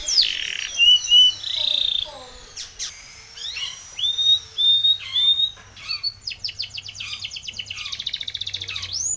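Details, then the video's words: Timbrado canary song for training: short whistles and buzzy notes separated by clicks, building to rapid bursts of sharp notes and a fast metallic trill at the end. "Timbrado canary's most powerful song for training - CANARY TRAINING SONG"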